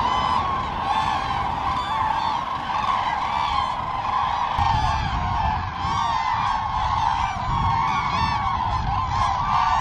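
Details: Common cranes at their annual spring gathering at Trandansen, Sweden, about 15,000 birds, in the evening by the lake before heading north to breed: a dense chorus of loud, rolling trumpeting calls overlapping continuously over low rumble and wind noise.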